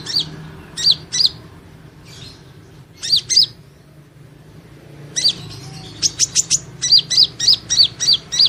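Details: Van Hasselt's sunbird (Leptocoma sperata) singing during training: thin, high chirped notes in clusters, a quiet stretch, then a faster run of about eight evenly spaced sharp chirps toward the end.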